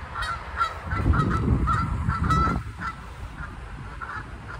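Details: Ducks in Durham, North Carolina, calling loudly, possibly arguing, in rapid harsh, nasal honking notes repeated several times a second, with a low rumbling background that drops away partway through.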